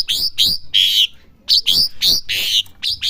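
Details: Young Asian pied starling learning to sing: loud harsh bursts and squeaky whistled notes in short phrases, with brief pauses between groups.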